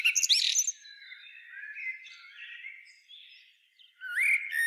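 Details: Common blackbird singing: a loud burst of high twittering notes at the start, then a long, softer, fading low warble, and a rising fluted note with a squeaky flourish near the end.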